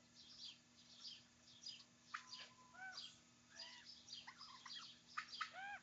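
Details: Several young common ravens squabbling over their food at breakfast; a busy run of overlapping calls, some gurgling and warbled, others bending down in pitch, many coming in quick bursts through the six seconds.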